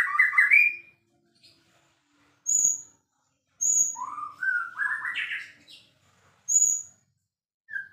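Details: White-rumped shama, a champion songster, gives a rising slurred whistle, then isolated sharp, very high ringing notes separated by silences, and a stepped sequence of climbing whistles in the middle.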